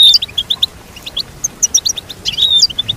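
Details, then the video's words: Melodious goldfinch singing, a quick tinkling series of high chirps broken by a short pause, then a dense burst of twittering with a thin drawn-out whistle near the end. "Teach your goldfinch to sing beautiful motivational songs"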